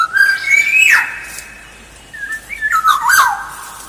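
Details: Black-naped oriole lure song: a steady rising whistle closes with a harsh crack. After a pause, a warbling, liquid phrase follows with rasping overtones.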